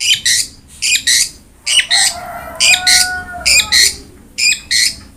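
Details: Long-tailed shrike recording used to encourage a quiet caged bird to sing: short paired harsh, scratchy bursts repeated roughly every second, with faint steady tones in the background.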